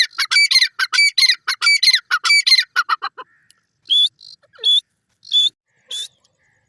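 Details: A grey francolin, known as Sindhi teetar, gives a loud, harsh, quickly repeated series of shrill grating phrases. It then drops to single sharp high notes spaced roughly seven-tenths of a second apart.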